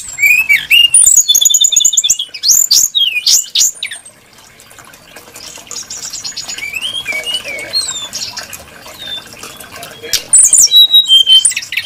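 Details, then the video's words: Brown-chested jungle flycatcher, a bird prized for varied, melodious song, opens with bright, looping whistled phrases and twittering. It goes quiet for several seconds with only faint notes, then resumes with high sweet whistles. "Burung srdc menarik Hati pendengar nya"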